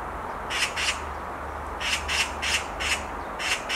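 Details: Black magpie on a tree branch utters a pair of harsh screams, then after a short gap a further series of loud, rasping notes spaced about a third of a second apart.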